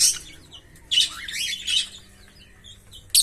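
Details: Green Fischer's lovebird pair, kept birds, singing: harsh, buzzy chirps and squeaky warbles rising and falling, with quiet gaps between bursts.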